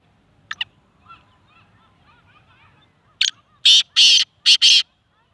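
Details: Black francolin in Sindh, Pakistan: a short sharp note and faint soft chatter, then a loud harsh phrase of one brief clipped note followed by four rasping, grating notes in two close pairs. Quiet background.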